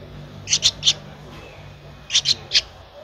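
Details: Young Streak-eared Bulbul, a 13-day-old nestling from Ubon Ratchathani, Thailand, 15 April 2023, uttering two triplets of piercing, high-pitched chip notes separated by a short pause, faint low rumble underneath.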